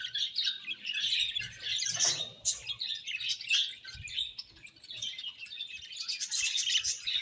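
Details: A group of budgies chirping nonstop: dense, overlapping high twittering and warbled chirps that run continuously, briefly softening midway before swelling again.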